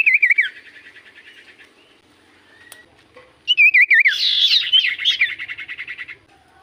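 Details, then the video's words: Common iora song played as a lure to make silent birds sing back: bursts of fast wavering whistles and buzzy trills, a loud phrase near the start and a louder, denser stretch from about three and a half seconds on. "Pancingan Burung sirtu cipoh gacor sekali putar Burung sirtu cipoh Diam Langsung nyaut"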